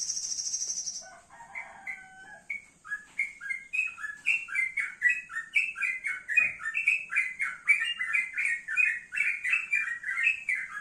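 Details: Male yellow-vented bulbul sunned in the morning, singing a lively run of bubbly, chattering notes that rise and fall quickly; a few pure whistles and a short hiss come before the song.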